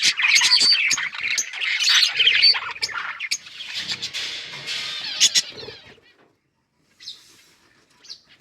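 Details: Budgies chirp and squawk busily for about five seconds, then the chatter fades to near silence with a couple of faint distant chirps afterward.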